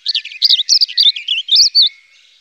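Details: European robin singing a rapid, varied phrase of high, twisting warbled notes, some rising and falling, then fading to quiet.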